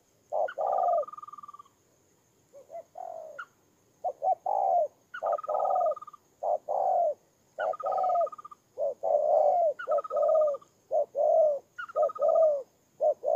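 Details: Cooing spotted dove decoy from Kon Tum, Vietnam, 23 September 2018, delivering dense runs of hollow coos, with a higher, thin whistled note sounding alongside several of the phrases.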